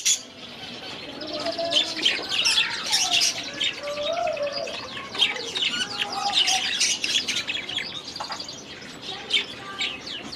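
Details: A flock of budgerigars kept in an aviary warbles busily: rapid, dense chirping and twittering notes stacked high, mixed with short lower whistled slides, sustained for the whole stretch.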